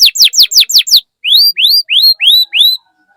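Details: Singing canary used to encourage other canaries to sing: six quick steeply falling whistled notes, a brief pause, then five slower rising, arched whistles about a third of a second apart.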